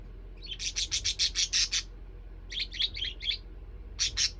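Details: A pair of pet parakeets chatter happily in the evening in quick bursts of harsh, high chirps, one run of about a dozen notes followed by shorter groups, over a low background hum.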